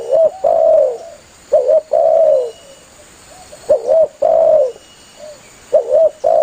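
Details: Actively calling spotted dove summoning its companions, played as a hunting lure. Phrases of quick paired coos each run into a long, steady, mellow hoot, repeated three times with soft cooing between.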